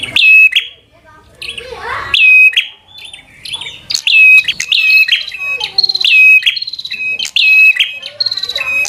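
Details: Prenjak (prinia) in 'gacor' fighter song to stir up a rival: long series of loud, snapping chirps, steady at first then quickening into close-set bursts.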